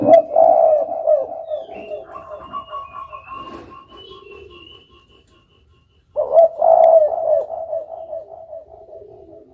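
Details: Spotted dove coos in two bursts: a strong throaty phrase at the start trailing into softer mixed tones, near silence, then a second loud coo phrase that fades gradually.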